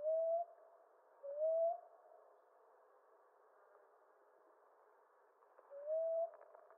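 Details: Common ground dove cooing, three low upslurred notes with an irregular gap before the last one.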